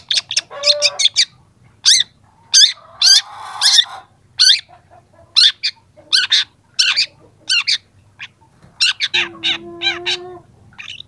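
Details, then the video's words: Young long-tailed shrike starting to add mimicked phrases to its song, offered as a tutor recording: bursts of harsh, buzzy broadband notes and rapid chirps in quick clusters, with a few lower whistled tones and a steady low hum beneath. "masteran cendet muda"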